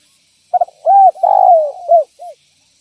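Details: One full cooing phrase from a spotted dove used for luring other doves: a soft stutter, an arched hoot, a long descending rolling coo, then two closing arched notes.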